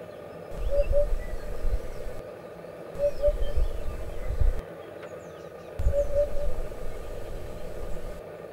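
Soft, low hollow hoots of a Eurasian hoopoe, given in short 'oop-oop' groups about every three seconds, over a steady low rumble of wind or distant traffic.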